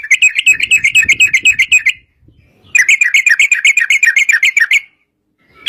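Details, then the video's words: Long rapid 'ropel' trill of a yellow-vented bulbul, meant to coax other bulbuls into song: two fast bursts of evenly repeated bright chattering notes, about four per second, split by a short pause. "trucukan gacor TARUNG ROPEL PANJANG pancingan trucukan agar bunyi jadikan burung trucuk gacor NYAUT"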